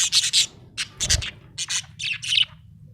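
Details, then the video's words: A happy pet budgerigar chirping: quick bursts of scratchy, high chirps in tight clusters, five groups within three seconds, separated by short pauses, over a faint low hum. "Happy budgie chirping sound"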